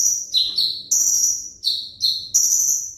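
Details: Van Hasselt's sunbird, a caged 'ringgit' bird, repeating piercing high whistles that fall in pitch, about six notes in three seconds, clean and loud.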